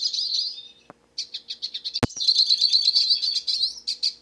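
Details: Wild hooded siskin singing freely in nature: a high twittering phrase, a short pause, then rapid chirps running into a fast buzzy warble, broken once by a sharp click.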